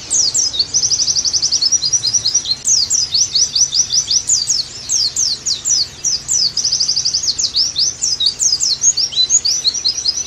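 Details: Almost continuous Oriental white-eye song, high and busy, alternating sharp slurred chirps with fast buzzy trills. It is used as training audio to revive a bird's eager singing.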